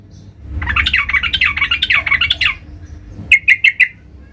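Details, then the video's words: Sooty-headed bulbul singing loudly to challenge rivals: a rapid bubbling, warbled phrase lasting about two seconds, followed after a short gap by four sharp, evenly spaced chip notes. "Trucukan gacor Mencari Lawan tarung suara keras seperti ini PALING DICARI, Auto NYAUT GACOR"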